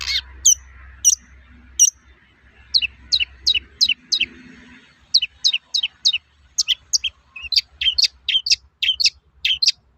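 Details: Singing long-tailed shrike with its typical toet-toet notes, used to provoke other shrikes: clipped high notes, sparse at first, then quickening into a busy, chattering series of varied chirps.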